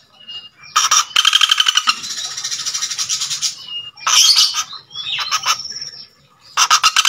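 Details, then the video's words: A male Common Flameback calls persistently to a female. Long, rapid, buzzy rattles run for over a second at a time and are repeated. High squeaky notes and thin whistles are mixed in between the bursts. "Burung Pelatuk Bawang Jantan Gacor Memanggil Betina"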